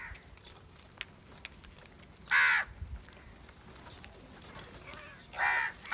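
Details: Angry house crows fighting over rice: two loud, harsh, rasping caws about three seconds apart, each roughly half a second long, over faint background rustling and distant chatter.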